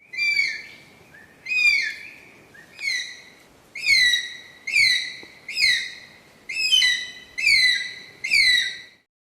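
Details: Philippine eagle giving high, thin whistled calls that slide downward with a rich harmonic edge, nine calls spaced roughly one second apart with short silent gaps between.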